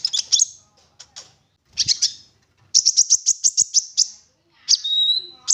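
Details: Olive-backed sunbird in lively 'gacor full nembak' singing, used as a lure to prompt other sunbirds to sing: very high, sharp chirps, then a rapid even trill of about ten notes and a thin sustained whistle.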